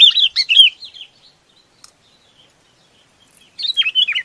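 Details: Chinese babax giving flock-gathering calls: a brief cluster of chirpy, slurred notes, a long quiet gap, then another lively chirping burst.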